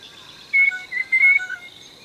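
A Blue Jay gives three clear, whistled notes on a steady pitch, the last one held longest, over a faint constant high hiss.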